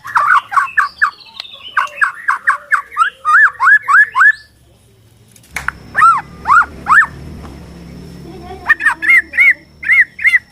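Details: Borneo white-rumped shama song meant to provoke shamas into singing and fighting: repeated arching, siren-like whistles in series, a pause, then a slower set of loud upswept notes and a final run of short repeated phrases.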